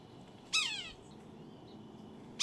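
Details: A red-breasted sapsucker utters a single harsh, nasal, down-slurred squealing mew, a second call just beginning at the end, with a quiet steady hum beneath.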